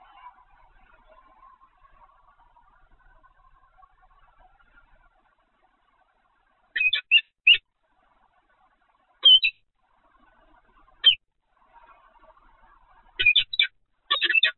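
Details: Peregrine falcon calling at Evoluon, 7 February 2020, mid-afternoon: a quiet murmuring start, then sharp grating call pairs arriving in scattered bursts, ending in quick repeated harsh notes.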